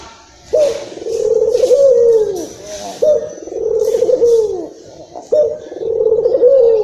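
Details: Local Barbary dove cooing, a recording for luring or stimulating other doves; three long, low, rolling coos, each opening with a sharp note and ending in a falling slur, about every two and a half seconds, indoors.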